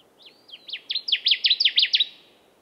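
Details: A singing male Connecticut warbler on its breeding territory in boreal forest in the western Great Lakes region gives a loud, ringing song of about ten bright, sharp notes swinging back and forth, building over two seconds.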